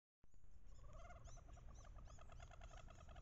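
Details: Wood ducks paired on a bayou in late October during the mating ritual, hens calling loudly while chasing and posturing to entice drakes. Rapid runs of short nasal, harmonic notes with scattered arched squeals from several birds over low rumbling background.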